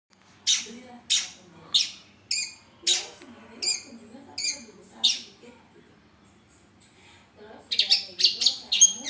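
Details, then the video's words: Long-tailed shrike used as a song model for training other birds: a row of harsh, rasping broadband notes about every half second, then a pause and a fast burst of scratchy notes near the end. "masteran suara cendet"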